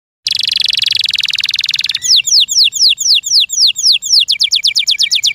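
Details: Kept canary singing a loud song: a fast buzzy trill of rapid pulses, then a run of repeated down-slurred whistled notes, finishing in quicker, tighter notes.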